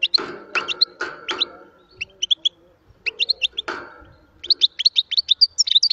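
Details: European goldfinch singing in short bursts of bright, high twittering notes separated by pauses, with several loud broadband knocks or clatters cutting across the phrases.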